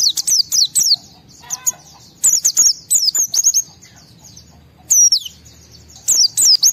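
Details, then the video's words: Highly excited white-eye song meant to spur other white-eyes to sing: repeated bursts of shrill, fast downslurred and upslurred whistles separated by short pauses, all very high-pitched, with faint low background rumble. "Pleci Mental baja EMOSI Tinggi ampuh mancing semua pleci segera gacor buka paruh"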